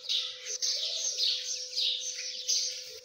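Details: Partridge chicks uttering a fast stream of high, piercing cheeps, closely packed, with a steady hum in the background.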